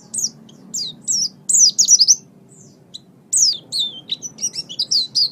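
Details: Master recording of an Oriental white-eye for training birds: spaced high, descending whistled notes, then a dense flurry, a pause near the middle, and a varied stream of sharp chirps and slurs.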